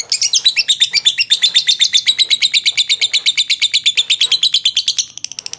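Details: Lovebird in Jogja, Indonesia, a competition bird, delivering a long unbroken 'ngekek' trill: steady, fast, high-pitched chattering notes repeated about three times a second, fading slightly at the very end.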